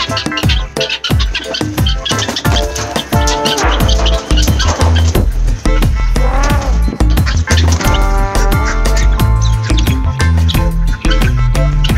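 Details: Loud, bass-heavy electronic music with scratching effects and a steady beat, and no animal calls anywhere.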